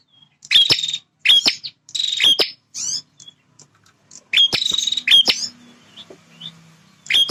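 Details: Male bar-winged prinia, a territorial bird, singing loud buzzy phrases: harsh rasping bursts with a sharp whistled note at the start of each, repeated in short clusters with brief pauses, some fainter calls between.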